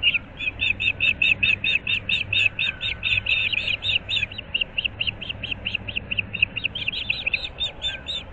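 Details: Osprey at a nest at Moorings Park in Naples, Florida, recorded at dawn on 15 April 2024: a long, steady series of shrill, high-pitched chirps, several per second, continuing throughout over a low rumbling background.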